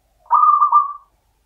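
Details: Champion local zebra dove singing in the standard Mataram rhythm style: one rolling, cooing phrase of about three-quarters of a second, made of quick throbbing pulses that swell and then trail off. The background is silent.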